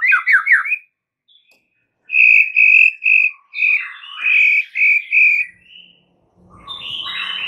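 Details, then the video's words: White-rumped shama lure song meant to draw a reply from other shamas: a few fast falling notes, a pause, then a string of loud clear whistled notes, several in a row, ending in softer warbling. "dengar PANCINGAN murai Batu ini dengan CEPAT murai anda langsung NYAUT seketika"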